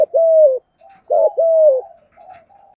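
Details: Cooing of a spotted dove for training and luring birds, with two paired phrases of a short rough note leading into a longer smooth coo that drops at the end, and soft faint notes between them.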